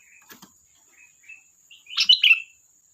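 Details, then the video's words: Sooty-headed bulbul chatter: a few soft short whistles, then one loud, quick bubbling phrase of liquid notes near the end. A faint steady high tone runs in the background. "Suara burung Kutilang Gacor || Ocehan Kutilang"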